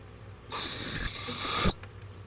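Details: Barred owl in Florida, caught on a live camera on March 23, 2015, giving one raspy, breathy screech of just over a second. The screech is level, with a slight upward twist at the end, against a quiet background.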